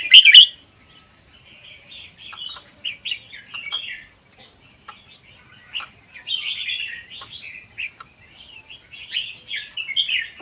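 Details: A red-whiskered bulbul caught in Vietnam–Laos forest and kept one year opens with a loud warbled burst, followed by long stretches of quieter chattering and whistled phrases, recorded to encourage other bulbuls to sing.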